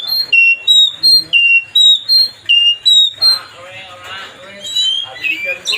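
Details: Oriental magpie-robin singing to provoke a rival: clear pure whistles repeated about every third of a second in a steady loud series, then a jumbled burst of softer varied chirps and twitters.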